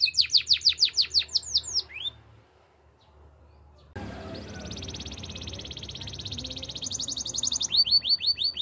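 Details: Russian canary song for training: a burst of rapid rising whistles, a pause of near quiet, then a long soft rolling trill that builds into high quick sweeping notes.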